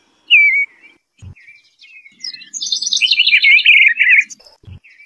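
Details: Eastern bluebird singing: a clear slurred note, then a dense run of warbled, twittering notes, with low thumps in the background.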